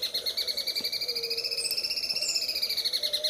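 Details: Greater green leafbird in sewing-machine song style, recorded for training other birds: a continuous fast pulsing chatter like a running machine, layered with steady high whistled tones that rise and fall gently, plus a brief sharp note near the middle.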